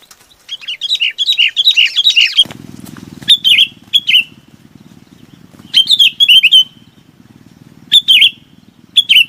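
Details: Chinese babax calling the flock: an opening run of looping warbled notes, then short clipped phrases repeated every couple of seconds over a steady low mechanical hum.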